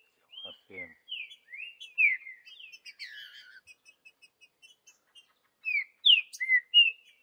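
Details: Green-winged saltator heard in the wild in the bush, Vidigal song type: slurred whistles mixed with a series of quieter chipping notes, then a loud four-note whistled phrase; a short low voice sounds at the start.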